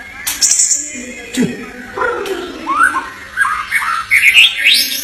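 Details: Murai batu, the white-rumped shama, in Indonesia gives a varied, fast song of chirps, upslurred whistles and high twittering notes, mixed with clicks and knocking sounds in a small room.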